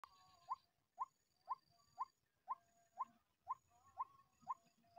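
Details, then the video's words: White-breasted waterhen lure call for trapping: a steady series of short, hoarse notes repeated about twice per second, with a faint high tone droning in the background. "MIKAT BURUNG RUAK RUAK RAWA PALING MUDAH DATANG"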